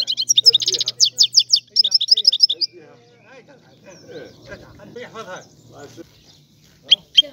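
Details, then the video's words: European goldfinch twittering fast, high chattering phrases and short trills for under three seconds, followed by a quiet stretch of soft low murmurs, then two final sharp chirps, over a low hum. "تغريد الحسون"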